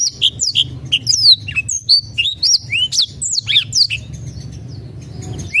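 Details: Black-throated canary singing to provoke quiet birds into song: steady, bright chirped notes and downward-slurred whistles spaced in a lively rhythm, with some rising sweeps, over a faint low hum.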